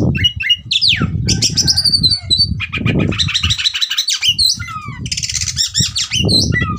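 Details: Kept Oriental magpie-robin provoked into fighting mood, singing a loud jumble of rich whistles, trills and harsh notes without pause, over low rumbling background noise.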